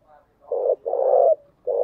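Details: Spotted dove kept as a decoy to call in wild doves, giving three low rough coos in quick succession, the middle one longest, with a faint softer note just before them.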